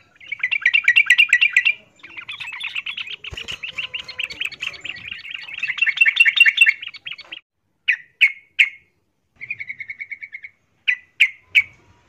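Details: Yellow-vented bulbul, female calling male while in breeding condition; long runs of quick buzzy trills, then short separate bursts and a brief soft rattle near the end.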